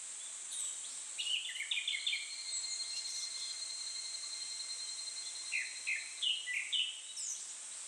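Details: Japanese thrush singing in satoyama countryside on a day hotter than body temperature: two bursts of quick, bright whistled notes, rising and falling, over a steady high insect drone, with a thin faint whistle in between.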